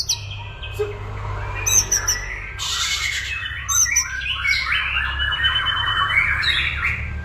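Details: White-rumped shama in full song, a dense jumble of loud whistles, harsh squawky notes and fast chatter, rich and varied, with steady low hum behind.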